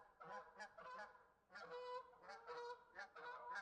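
Several geese honk over one another in harsh, nasal, overlapping bursts, a rapid chorus with a brief lull in the middle.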